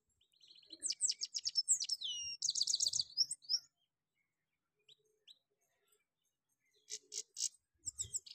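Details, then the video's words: Goldfinch song in full rolling style, delivered as quick bursts of high, tinkling twitters and sharp chirps, then a pause of a few seconds before another short twittering run. "gold finch full bower rolling sounds"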